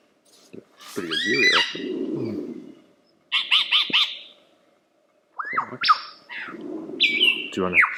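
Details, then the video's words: Lyrebird performing a varied medley: a harsh buzzy, wavering passage, a quick string of clipped chirps, then loud rising and steady whistled notes, separated by silent gaps. "Lyrebird The Best Songbird Ever!"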